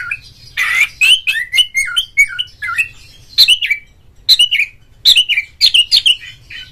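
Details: Oriental magpie-robin singing in the ngeplong, ngobra, gacor style, meant to prompt other magpie-robins to sing: bursts of loud, sweet whistled notes, rising and falling slurs and short chirps in quick clusters, separated by brief pauses.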